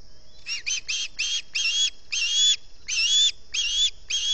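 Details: Osprey at a Salt Point nest on an early morning, 11 August 2020, calling from hunger: a rapid series of shrill, whistled chirps with a slight rising-falling inflection, in bursts of about two per second, over faint low background rumble.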